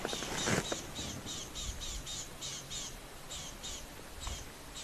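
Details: Rattling Cisticola alarm-calling at sunset on 31 December 2023 at Rietspruit Game Reserve, South African Lowveld, very agitated, possibly at a predator: short, sharp, high chips about four a second, with a brief burst of human speech at the start.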